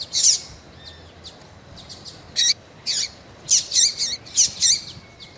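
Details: Rusty-collared seedeater female calling insistently to excite a male; bright high chirps, some doubled, coming in bursts after a quiet start, each note sharp with a curling lower tone beneath.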